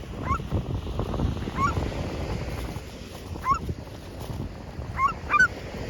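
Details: Gulls utter single, well-spaced mewing yelps, rising then dropping, about every one to two seconds, with soft wind in the background.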